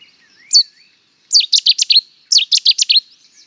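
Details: A single sharp introductory note from a Cetti's warbler, a pause, then two loud staccato bursts of quick, high, clipped notes, each phrase under a second long.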